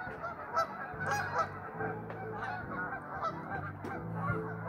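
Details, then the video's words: Restless geese produce a steady din of honking, rough nasal notes piled on top of each other, with a few louder brassy calls punctuating the chorus. "Restless geese!"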